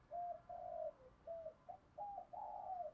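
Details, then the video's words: Spotted dove giving thổ đồng-style coos, used to stimulate training doves: a distant run of soft, hollow coo notes, several short and one longer, heard faintly over steady background hiss. "tiếng chim cu gáy giọng thổ đồng thúc gù bài bản rất chuẩn"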